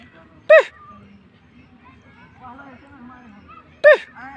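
A francolin gives two loud, harsh, short call notes about three seconds apart, with faint voices and murmur in the background.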